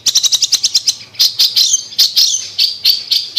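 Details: Long-tailed shrike, recorded to coax a non-singing shrike. A quick burst of about ten evenly spaced high ticks is followed by slower, buzzy, twisting whistled notes.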